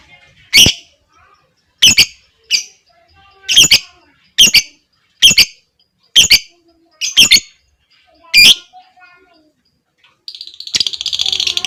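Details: Lovebird in a lure recording for other lovebirds, giving loud sharp chirps roughly every second, some doubled, then breaking into a rapid buzzy trill near the end.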